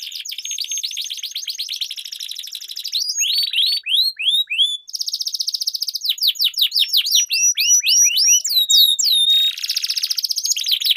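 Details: Long rolling canary song from a duel, used as tutor for competition birds: alternating buzzy trills and clear curved whistles, several distinct rolled phrases switching every couple of seconds.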